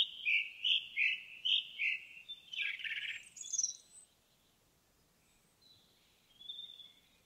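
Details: Indigo bunting singing in a forest: a quick run of sweet high notes given in pairs, dropping slightly in pitch, then a harsher buzzy burst, a pause, and two faint thin whistles near the end.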